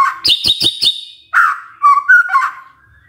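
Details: A magpie-robin sings in the morning to set off other magpie-robins: a quick burst of four rhythmic chattering chirps, then a pause before warbling whistled notes that waver and slide.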